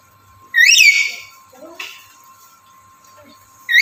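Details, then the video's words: Black-capped lory male in breeding condition calling for a female: one loud, rising-and-falling shrill whistle, a softer rasping note after, and the start of another call at the end, with a steady hum. "Burung Nuri Jantan Birahi Memanggil Betina"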